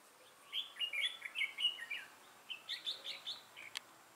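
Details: Red-whiskered bulbul decoy bird with a lion-style crest and dark bib, used to trap wild birds, recorded 6 November 2018; bright chirpy warbled phrases with quick up-and-down notes in two bursts, over a faint steady hiss.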